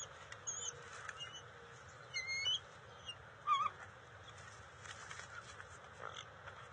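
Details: Bald eagle juveniles on the NCTC nest on June 29, 2021, scuffling and sharing eel and fish deliveries. Thin, high whistled notes with a few short squeals, mostly around two seconds in, over steady background hiss.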